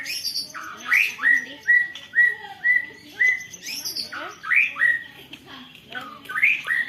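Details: White-rumped shama with canary-style song filling, delivering a long rolling song recorded on a Redmi Note 10 phone: bright whistled notes near the same pitch repeated about every half second, interspersed with sharp upswept phrases.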